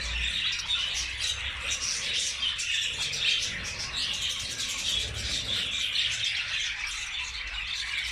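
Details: A busy flock of budgerigars in communal colony breeding chatters nonstop with high, scratchy warbles and chirps.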